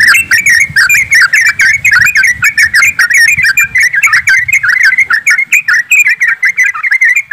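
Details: Flock of yellow-vented bulbuls in a dense, continuous chorus used as a lure to get birds singing quickly: rapid, overlapping bubbly whistled phrases, with many notes each second and no pauses.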